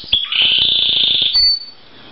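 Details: A newly acquired male canary, thought by a breeder to be a colour or common canary with many chop notes and some wild-sounding notes, sings a loud, rapid rolling trill for about a second, then ends on a brief, thin, higher whistle.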